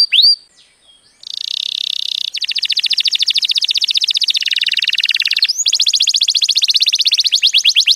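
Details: Canary song, loud and clear: a sharp upswept whistle, then a sustained buzzy roll, followed by long fast trills of evenly repeated high notes that shift in pitch, with another upswept note before the final rapid trill.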